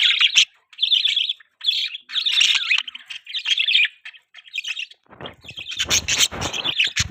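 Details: Budgies in the morning while eating their feed, chattering in rapid, busy bursts of high chirps and warbles with brief pauses, followed by a noisy rustling, crackling sound near the end.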